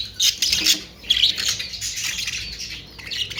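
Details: Australian parrots (budgerigars) open with loud rasping squawks, then settle into softer, continuous high warbling chatter.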